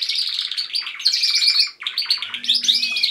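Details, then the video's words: Pet canaries singing as a group in a house, one bird leading: rapid rolling trills and chattering warbles, a short break midway, then more high sweeping notes over a faint low hum. "Canaries singing."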